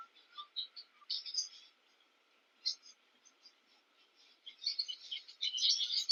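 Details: Cape weavers chatter during nest building near a king protea, busy bursts of buzzy, wheezy notes; a brief lull midway before the chatter swells again, over a faint steady high tone.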